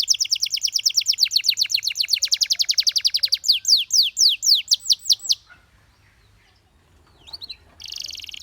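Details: Canary pouring out a long fast trill of identical notes, followed by slower ringing downslurred whistles, then near silence and a closing burst of buzzy song.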